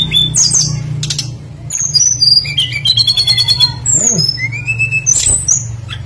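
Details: Lure recording of a tledekan flycatcher in full, varied song, intended to prompt other birds to sing along: sharp high whistles and slurred notes, a fast buzzy trill, and a long rising whistle, with a steady low hum beneath.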